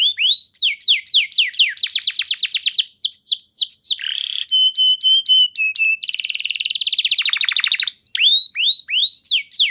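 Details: Canary lure song to make other canaries answer and sing: varied high phrases of swooping whistles, a rapid trill, level piping notes, a buzzy roll and more upslurred whistles.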